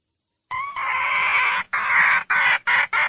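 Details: Wild red junglefowl hen calling for a male: after a short silence, a long harsh drawn-out note, then three shorter harsh bursts of similar pitch, evenly spaced.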